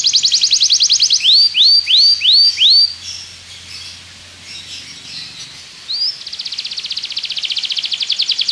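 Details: Belgian canary singing as training for other canaries: a fast rattling trill, several rising slurred whistles, a quieter pause with soft notes, then a long rapid buzzy trill.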